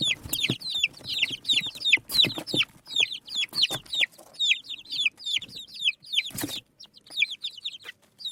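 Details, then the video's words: Native desi chicks eating rice, producing a busy chorus of high, downward-curving peeps from many birds, interrupted by sharp clicks and pecking noises and one louder clatter. "Tot Murgi Chicks Chirping Sounds | Desi Murghi Baby Chicks Eating Rice"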